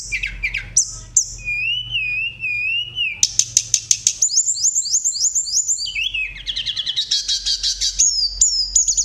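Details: Sunda robin in full song, described as rolling and flute-like and used to stir other birds into singing; high varied phrases of pure whistles, wavering notes and rapid repeated chips that shift pitch every second or so, with a low hum underneath.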